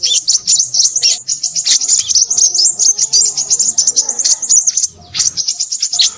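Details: Crimson sunbird in busy, chattering song: a dense stream of very high, thin twitters and rapid trills, nearly unbroken for about five seconds, then a short pause before the twittering resumes.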